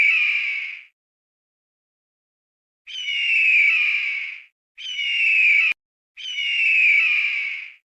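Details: Loud, high-pitched calls of a Javan hawk-eagle: four harsh, buzzy screams of about a second each, spaced irregularly with a long silent gap after the first and a sharp click near the third.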